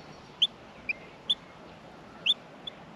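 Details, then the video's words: Baby Australian miners calling from the nest at feeding time: a few isolated, thin, high chirps, some slightly upslurred, spaced about half a second to a second apart against quiet hiss. "Australian Minor baby birds in the nest feeding"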